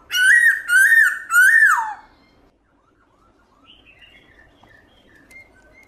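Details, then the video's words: Black-throated laughingthrush singing wild-style song with many voices, loud and clear: three strong rich whistled phrases, each rising then falling, the last sliding down, followed by quiet distant chirps from other birds. "Khướu bạc má HÓT GIỌNG RỪNG nhiều giọng âm to rõ cực hay"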